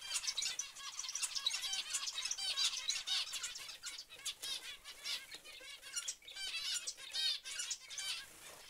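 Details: Zebra finches calling together in a dense, overlapping chorus of short nasal, buzzy chirps, packed closely with no clear pauses, accompanied by frequent wing flutters.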